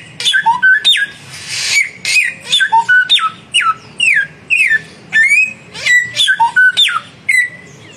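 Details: Samyong song duel between a young and a mature bird: a dense, loud run of clipped whistles, downslurs and upslurred notes, overlapping and rapidly alternating, with a faint low hum beneath.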